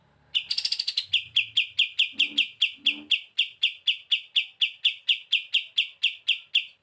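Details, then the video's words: Bren beset song of a kapas tembak: an opening buzzy rattle followed by about twenty-five sharp chirps at a steady, brisk pace, with faint low background noises. "KAPAS TEMBAK GACOR BURUNG MASTERAN ‼️ SUARA BREN BESET NGETOP"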